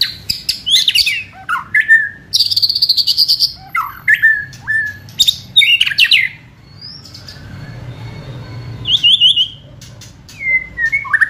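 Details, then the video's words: White-rumped shama singing energetically, used to provoke and speed up another bird's singing: bursts of loud varied whistles, harsh chatters and rising notes separated by short pauses, one longer quiet gap midway. "Kretekan Gahar MURAI BATU GACOR ini untuk memancing Emosi dan mempercepat Ngeplong"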